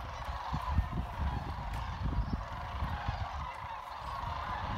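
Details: Many sandhill cranes trilling and chatting at Jasper Pulaski Fish and Wildlife Area, their overlapping rolling calls forming a steady crowd-like drone above heavy low-pitched rumble and thumps.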